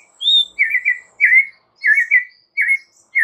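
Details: White-rumped shama lure song intended to make other shamas respond, with short warbled whistle phrases repeated about every half second.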